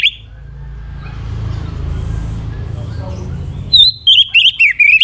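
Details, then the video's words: An orange-headed thrush song said to draw a reply from males: a burst of rapid, high, slurred whistled phrases, quick and varied, following a stretch of low rumbling background noise. "Buktikan Bahwa ANIS MERAH mu Jantan, Saat Didengarkan Kicauan Ini Pasti Nyaut Kalau Ngecir ya BETINA"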